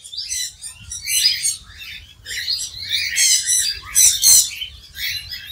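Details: Australian cockatiels at Dehradun Zoo, India, giving bursts of harsh, high, squeaky chirps and screeches in irregular rapid runs, several overlapping, with a faint low hum beneath.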